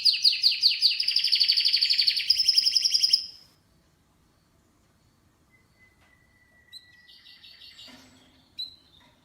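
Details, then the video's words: Canary giving a rapid repeated trill for about three seconds, then stopping; the rest holds only faint thin notes and a soft knock against quiet room background. "Canary's voice A very beautiful canary's chirping canary's voice"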